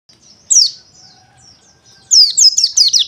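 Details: White-eye song: a brief high, slurred twittering note, then after a pause a rapid run of high, sweeping chirps.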